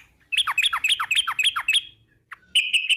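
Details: Yellow-vented bulbul giving a long rapid-fire song used as a lure to make other bulbuls sing: fast repeated downslurred chirps, roughly four per second, then a short pause and a steadier trilled run of notes.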